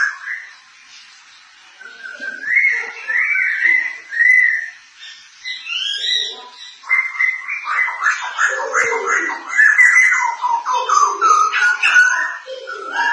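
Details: Thailand white-crested laughingthrush, a cage songbird, singing and cackling: rough slurred whistles building into a long run of fast, harsh, laughing chatter with wavering pitch.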